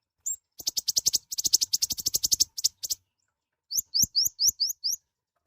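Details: High, loud song of a mouse-colored sunbird (kolibri ninja): a fast run of about twenty crisp, piercing chirps, a short pause, then six separate rising whistled notes given evenly.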